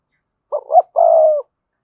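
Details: One phrase from a decoy spotted dove with a strong voice: two quick clipped notes rising into a brief hitch, then a long, even, low coo fading at the end, against silence.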